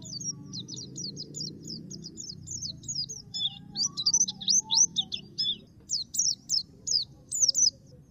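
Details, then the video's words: Black-capped white-eye, a training (masteran) recording of a lively, persistent singer, gives a long run of rapid high-pitched twittering notes, then from the fourth second shorter separate bursts of sharp chirps, over a faint low rumble. "Masteran suara burung Pleci Topi Hitam/Dahi Hitam gacor"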